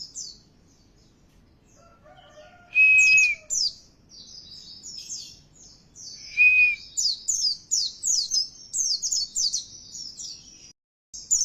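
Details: Oriental white-eye lure song for provoking caged birds to sing: after quiet lower notes, two strong mid-pitched whistles, then a long run of very high, rapid twittering slurs repeated in quick bursts.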